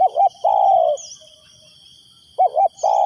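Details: Spotted dove decoy bird calling to lure wild doves: low, mellow cooing in two phrases, each a quick wavering double coo followed by a longer drawn-out coo. A steady thin high tone runs underneath throughout.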